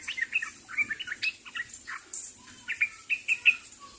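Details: Sooty-headed bulbul calling to others: crisp, clean chirps and short whistles in lively clusters, a brief pause midway, then more quick notes over near-silent background.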